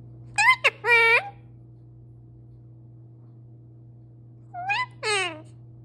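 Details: Pet male parrot talking in a steady stream: two short bursts of harmonic, voice-like chatter, the second with a rising then falling contour, separated by about three seconds of quiet over a constant low hum.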